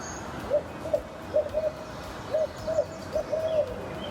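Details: Two barred owls calling back and forth, close to each other, during the day in a preserve with big trees: short, low, slightly rising hoots about every half second, ending in a longer drawn-out note, against a quiet background.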